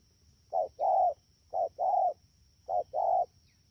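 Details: Wild-caught spotted dove from Đak Tô, Vietnam, 3 October 2019, in speed style: three hollow two-part coos, quick short note then sustained mellow one, spaced about a second apart, with a faint high steady tone.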